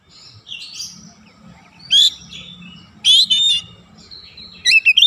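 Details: Oriental magpie-robin lure song used to draw full song from other birds: quiet thin whistles, then loud buzzy trilled notes recurring roughly every second, ending with rapid sharp whistled phrases.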